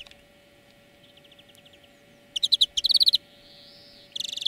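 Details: European greenfinch song recorded as a song lesson: after quiet faint notes, loud rapid trilled bursts of chirps, then a soft nasal wheeze and another trill at the end.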